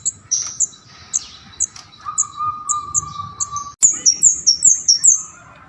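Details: Lively bar-winged prinia song: rapid series of short, high descending chirps about three per second, accelerating into a dense run of shrill notes, with a steady lower whistle in the background.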